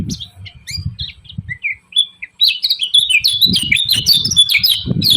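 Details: Lemon-bellied white-eye (kecial kuning) giving a 'ciak ciak' call meant to provoke rival birds: rapid high twittering chirps with short jumpy notes, building into a dense, steady chatter, with low thumping bursts underneath.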